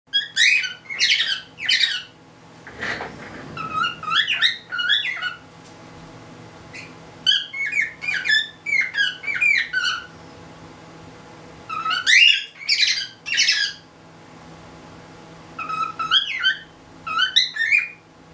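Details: A recently introduced male cockatiel sings to an already mated female on the top perch, courting her with bursts of bright, warbling whistles.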